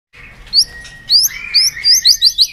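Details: White-rumped shama singing a many-voiced song, used to rouse and train birds: clear whistled phrases of rising and falling notes, ending in a run of quick, bright repeated whistles about every quarter second.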